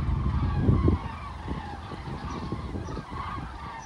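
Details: Flying common cranes over Toppila: a rolling series of bugled, trumpeting notes from several birds, irregularly spaced. Low thumping and rumbling noise is strongest in the first second.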